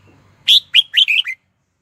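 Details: Red-whiskered bulbul used as a caged decoy to call wild birds to fight, delivering one lively phrase of five quick, bright whistled notes, preceded by a faint low hum.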